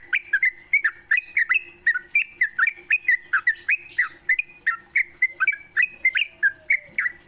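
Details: Sooty-headed bulbul song used in the morning to train songbirds: rapid run of bright, bubbly whistled notes, each dropping then lifting, repeated about three per second without pause.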